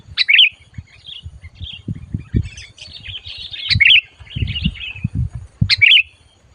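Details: A sooty-headed bulbul, lured for trapping, answers boldly with three bursts of sharp, bubbly chirps, roughly one every two seconds, each trailing into softer twittering, with scattered low thuds in the background.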